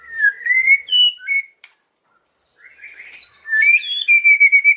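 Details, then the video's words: White-rumped shama pastol song with cililin imitation: clear, rising whistled notes and short slurs, a quiet pause, then a sharp high note and a fast run of repeated high pips. "MURAI PASTOL BONGKAR ISIAN CILILIN AUTO NGAMUK"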